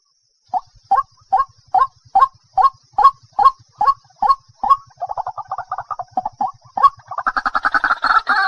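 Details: White-breasted waterhen uttering a steady series of short, clipped notes about three per second, then a faster jumbled run and a loud harsh chorus at the close.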